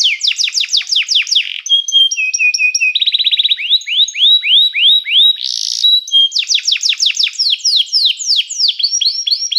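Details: Canary song that calls other canaries to sing, used for training: cascades of falling sweeps, short stepped whistles, a fast even trill, a brief harsh burst, then more rapid downward slurs.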